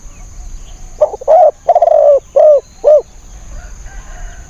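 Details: Decoy spotted dove set out to lure wild birds, giving one phrase of five hoarse coos, the second and third longest, ending with two crisp shorter notes, then quiet.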